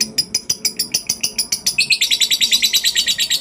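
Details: Lovebird ngekek song, used as a lure to make other lovebirds sing: shrill, high chattering notes repeated rapidly. They run close together at first, then merge into a faster, denser rattling trill in the second half.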